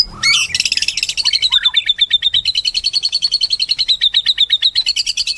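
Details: White-rumped shama in full song: a quick whistled flourish opening into a long, fast, even chatter of high notes repeated nearly three times a second, steady and sustained.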